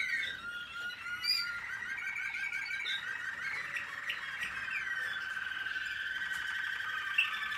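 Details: American Singer canary in training, 2021, singing a continuous, dense song of rapid trills and rolling warbled phrases, with bright chirps and slides woven through steady twittering throughout.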